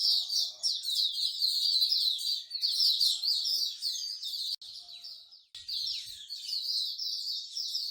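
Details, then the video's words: Caged songbirds at a bird singing corner in Singapore, a pastime of bird lovers; a dense chorus of high, rapid chirping and twittering phrases overlapping continuously, with a short lull midway. "Bird Singing Corner"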